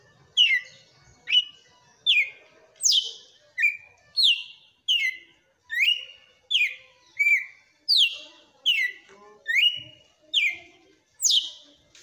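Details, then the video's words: Red-cowled cardinal kept by a bird breeder delivers a strong 'açoite' song: a steady run of about fifteen bright, downslurred whistles in twelve seconds, each note loud and piercing, with pauses of under a second between them. "TOME ESSE AÇOITE DE COM FORÇA DO MEU GALO DE CAMPINA"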